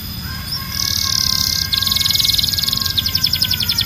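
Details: Canary holding long dense buzzy rolls, the first smoother, then shifting into a faster, more pulsed trill, preceded by a faint thin whistle.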